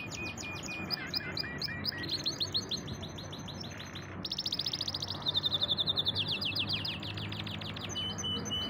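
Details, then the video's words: Canary, a pet bird, singing varied phrases: rapid chirped trills, a rattling buzzy roll, then loud fast repeated notes and clear whistled tones, low hum in background. "Awesome singing canary / champion bird"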